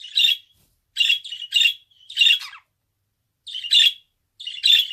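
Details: Pet budgerigar making loud, buzzy chirps in small clusters of two or three notes, separated by clear silent gaps.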